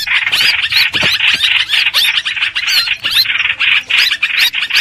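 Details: Streak-eared bulbul chattering, used as a trapping lure: harsh, bubbly notes crowd together in rapid bursts, with a few looping upslurred whistles standing out.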